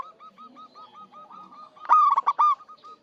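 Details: Local zebra dove in lively song, used as a lure to draw birds for trapping. A string of soft, evenly spaced hooked coos builds into a loud, ringing burst of rich notes, then eases back into soft coos.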